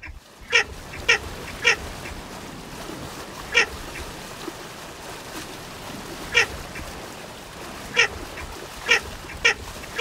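Baer's Pochard giving short, harsh, nasal calls, some in quick pairs or runs, spaced irregularly over a steady hiss of background noise.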